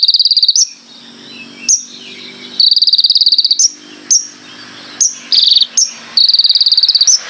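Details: Konin singing a full varied song: long rattling high trills of fast repeated pulses broken by sharp clipped whistle notes, with pauses between phrases and a steady low hum behind.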